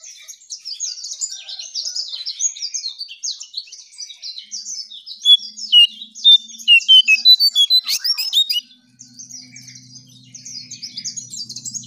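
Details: Striped tit-babbler lure song: long stretches of rapid, high, scratchy chattering around a middle burst of loud whistled notes, with a low steady hum in the final seconds.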